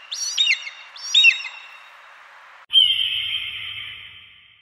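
An eagle gives two high, thin, falling whistled cries, then, after an abrupt cut, a long drawn-out high scream that slowly fades.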